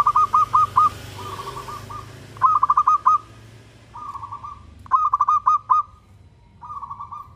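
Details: A lively local Indonesian zebra dove sings, luring other doves to answer. Phrases of four or five crisp hooked coo notes trade with smoother purring trills, back and forth several times over seven seconds. A low hum sits underneath.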